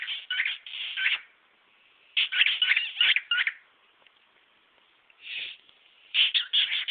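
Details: A pet male cockatiel performs his repertoire: clustered harsh chirps and warbling bursts separated by quieter gaps, with a faint steady background hum.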